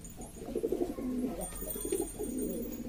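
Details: Several domestic pigeons from East Lombok, West Nusa Tenggara, Indonesia, kept by hobbyists, cooing noisily together: low, rolling, overlapping coos with a few clicks and faint high hiss above.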